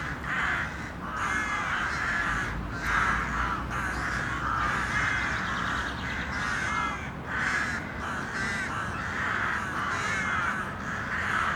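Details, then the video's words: A murder of crows in the city keeps up a dense chorus of grating caws, calls tumbling over one another with hardly a break, steady low background drone. "A Murder of City Crows"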